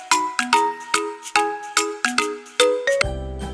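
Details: A short run of bright, ringing chime-like musical notes in a quick melodic sequence, ending in a lower sustained chord, with no animal voice.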